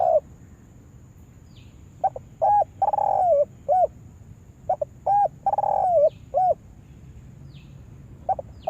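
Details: Spotted dove kept as a decoy bird for luring wild doves into a yard trap, giving several hoarse coo phrases: short clipped notes followed by a longer drawn-out, slightly falling coo, repeated in bursts over steady low background hum.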